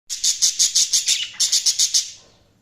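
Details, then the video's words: Budgerigar chirping in a quick run of about a dozen bright, high, evenly spaced chirps, each roughly a fifth of a second apart, fading out at the end. "Budgies Sounds| Budgies Chirping sound"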